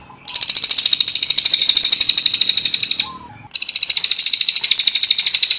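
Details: Cililin song for training cage birds: a long, loud, high trill of fast, even pulses lasting about three seconds, a brief faint lower note, then another sustained rapid trill.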